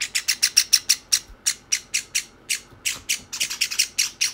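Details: Two young pet Java sparrows, white and sakura, start begging from one another rather than eating on their own; sharp high chirps in quick runs, slowing and turning irregular midway, with slight handling noise.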